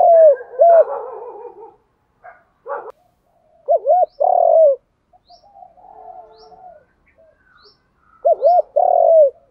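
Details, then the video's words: Decoy spotted dove trained to coo and respond quickly, giving challenge and calling coos. Several hooted phrases with drawn-out notes are mixed with muffled rough sounds, and faint high chirps are audible in the background. "Tiếng cu gáy tập bổi nhanh gáy và nhanh nổi nhất, tiếng thúc đấu và gáy gọi"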